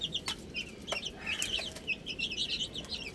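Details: Little chicks feeding on spinach, with quick high cheeping calls that overlap and rise and fall, broken by a few sharp clicks, likely pecking.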